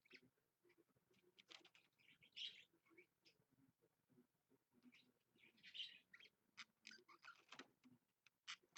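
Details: Pet budgerigar, or parakeet, captured on a live stream early on a Monday morning, giving quiet rambling warbles with occasional louder squeaky chirps and clicks, fairly faint overall.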